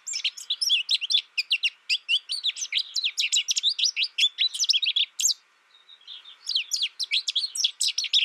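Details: American goldfinch pouring out a long, rapid series of sharp high chips and twitters, nearly unbroken for five seconds, then a short lull and another fast chattering run.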